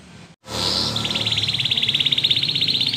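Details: Yellow canary singing: after a brief silent start, a fast, steady trill of high, evenly repeated notes runs to the end, preceded by a short sustained high whistle.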